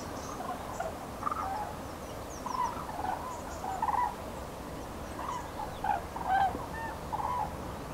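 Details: Migrating common cranes heading north in spring, recorded in Nouvelle-Aquitaine, France, 8 February 2017; scattered bugling, trumpet-like calls of several birds, softer and more distant, spaced about a second apart.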